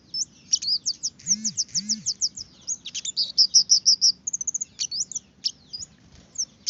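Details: Red-headed finch singing, played as a lure so birds start singing quickly: quick runs of high, sharp chirps, then a fast repeated trill and scattered upslurred tweets. Two low arching notes appear early, over faint steady background hum.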